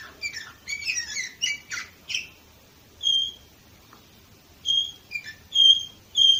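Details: Canary singing in Varna, Bulgaria, in 2018: dense buzzy, rattling phrases give way to clear, steady high whistled notes, repeated in separate bursts after short pauses.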